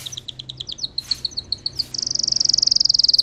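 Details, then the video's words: Russian canary, bred for singing: spaced, high chipping notes that quicken into a steady, rapid, loud trill of bright beads of sound. "Red trees Canary Singing"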